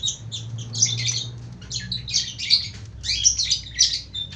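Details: Lovebird performing long-duration ngekek singing: an almost unbroken stream of shrill, buzzy, rapidly repeated chattering notes in rhythmic bursts, high-pitched and harsh, over a faint low hum.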